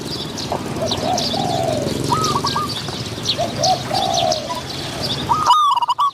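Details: Spotted doves calling during decoy trapping, a caged decoy luring a wild dove described as having a medium-pitched voice; repeated low rolling coos with short stepped notes, high chirps of other birds throughout, and one loud close coo near the end.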